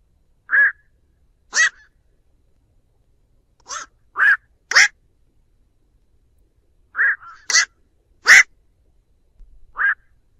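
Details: Black-crowned night heron calling its flock, a lure recording for trapping: short harsh croaks, some broad and rasping, others more tonal and nasal, scattered irregularly with gaps of one to two seconds, against a clean silent background.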